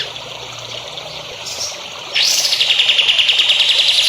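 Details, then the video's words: Songbird training recording: quiet hiss, then an abrupt rising sweep leading into a rapid high trill of regularly repeated notes that continues to the end. "MASTERAN BURUNG HANDAL UNTUK CALON BURUNG JAWARA"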